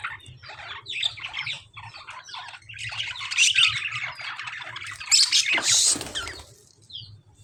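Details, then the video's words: Lovebirds in a dangerous-looking fight with budgies give scratchy overlapping chatter that builds into louder grating squawks, capped by a piercing high screech just before the sixth second, then fades away. "Lovebirds fighting with budgies | Dangerous fighting in lovebirds and budgies | bird chirping sound"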